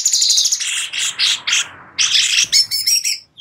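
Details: Busy, high-pitched song of a sooty-headed bulbul, kept as tutor material for white-rumped shamas, with scratchy chirps and short bursts broken by a brief pause.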